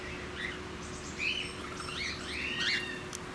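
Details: Cockatiel (Nymphicus hollandicus) at Campbelltown Forest of Wild Birds, Saitama, Japan, 31 March 2018, gives short, bright rising whistled chirps, a handful in three seconds, the last a longer upswept squeal, over a steady low background hum.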